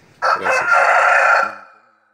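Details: Domestic rooster crowing in the background near a homemade egg incubator; one loud crow of about one and a half seconds, a brief opening note, then a long, steady, strained tone that fades out at the end.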